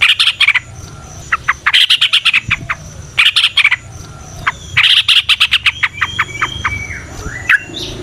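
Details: Yellow-vented bulbul chattering song in natural surroundings, used as a lure: clusters of quick harsh chirps and short rising whistles, irregular and busy, with faint low background noise.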